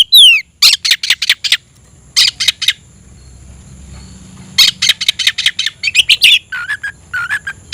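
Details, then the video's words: Oriental magpie-robin looking for a rival: an opening looping whistle, then series of harsh, clipped rasping notes in quick bursts, ending with lower slurred whistles; quiet pauses between bursts. "suara burung Kacer mencari musuh"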